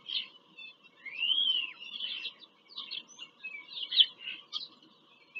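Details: High piping calls from bald eagles on a visit to their farm-country nest in Pennsylvania, 5 February 2023, on a live camera. One clear rising-and-falling whistle is followed by shorter squeaky notes.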